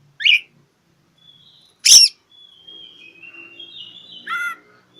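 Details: Oriental magpie-robin song aimed at a rival: a sharp rasping note, a loud explosive burst, then a long thin rising whistle ending in a buzzy downward chatter.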